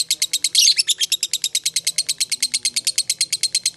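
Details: Fighter lovebird in long ngekek, a call meant to lure other lovebirds into answering, a steady train of sharp, high, rasping notes at roughly three per second, with one louder harsh burst near the start.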